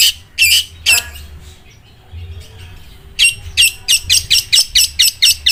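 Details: Long-tailed shrike whose song is described as sounding like a sewing machine: a few harsh high notes, a pause of about two seconds, then a fast even run of clipped buzzy notes, with a low hum beneath.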